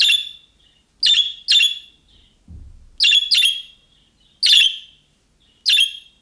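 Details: Young-bird-style calling from a budgerigar, the kind other budgerigars answer at once. Around eight harsh, buzzy chirps, often paired, in an irregular rhythm, with one soft low knock between them.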